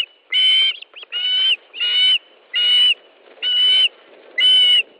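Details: At a nest in Estonia on a July 2013 evening, an osprey calls as fish is delivered: strong, even whistled squeals, about half a second long, repeated steadily roughly once a second.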